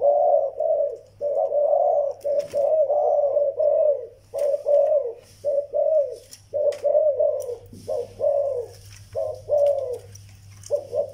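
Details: Zebra dove, a young bird, calling in a small room: rapid series of soft, trilled coos in short bursts, each slurring down at the end, repeated about once a second, with faint clicks and a steady low hum behind.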